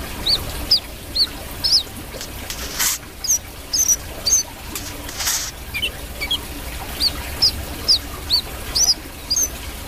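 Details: A brown-throated sunbird sings in gacor style: a steady run of thin, high, hooked chirps, some paired, repeated roughly twice a second, over faint broadband hiss and a couple of brief rustles.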